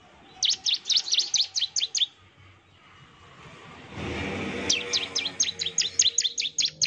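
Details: Ciblek, or Bar-winged prinia, singing a provoking lure song: a rapid string of piercing downslurred chips, a brief gap with a soft rushing noise, then a second quick volley of similar notes.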